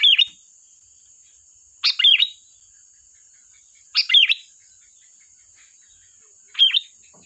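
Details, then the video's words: Chatty sooty-headed bulbul sings sharp 'tembakan' bursts meant as a lure: four quick warbled phrases of rising and falling notes, spaced about two seconds apart, with a constant faint high-pitched tone behind. "Suara burung Kutilang Gacor || tembakan tajam pas untuk pancingan"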